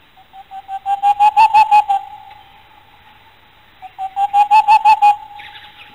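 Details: A boreal owl, one of Idaho's owls and a cavity nester in snags, gives two quick runs of about a dozen low, hollow hoots, each run swelling louder; a soft rustle follows the second run.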